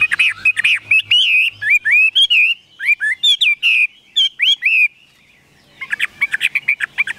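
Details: Chinese hwamei kept in a cage, giving a rich series of fluty whistles, upslurred and downslurred, in quick succession, then a short silence and a rush of fast chirping notes.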